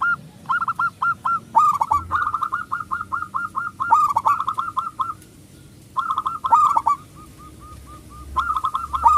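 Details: Local zebra dove with a big voice, used as a lure to stir other doves to sing: bursts of rapid hooked coos separated by silent gaps of one to two seconds, plus a brief run of softer, evenly spaced notes.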